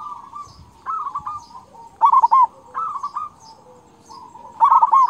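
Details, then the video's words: Local zebra dove singing, used as a master song to train other doves: soft, rolling cooing phrases with a trilled quality, repeated about every one to two seconds over a faint continuous hum. "perkutut lokal gacor suara kung dan besar manjur untuk masteran"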